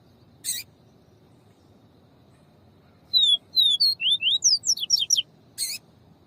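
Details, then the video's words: Yellow-bellied seedeater song with female calls, used to stimulate a male: a quick series of about ten high, thin, downslurred whistles, some tumbling and overlapping, after a silent stretch, with two sharp clicks at the start and end. "PAPA CAPIM VIVITI E PIADO DE FEMEA. MUITA FIBRA ESFOGUIE O SEU."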